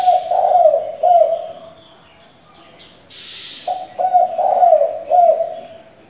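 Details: Two full cooing phrases from a many-voiced spotted dove decoy, each a rolling, throaty series of notes with a dip, separated by a short pause filled with high chirps and a brief hiss.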